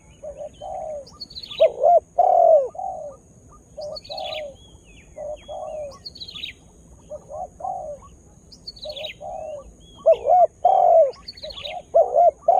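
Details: Spotted dove kept as a lure bird for attracting wild birds, newly beginning to call; soft low coos in short clustered notes, quieter at first and louder near the end, with brief high thin chirps of other small birds recurring.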